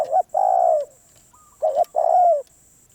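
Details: ['Two cooing phrases from a wild Spotted dove described as very stubborn: a short note, then a long, slightly descending coo, each clear and loud above a faint steady whine.']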